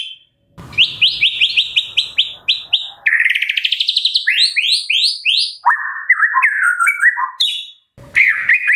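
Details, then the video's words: Morning White-rumped shama song to stimulate captive birds: a series of repeated whistled notes, a fast buzzy run, descending slurs and a lower warbled phrase. "Pancingan Murai Pagi WHITE-RUMPET SHAMA 100% AMPUH buat Pancingan murai batu pastol agar bunyi"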